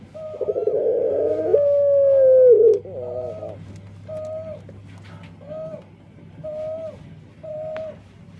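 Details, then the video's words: Dove with a peculiar song: a loud rolling coo melting into a long falling tone, then a run of six short, evenly spaced nasal hoots, each softer than the opening phrase. "Suara Unik Burung Puter // Unique Sound Singing of dove"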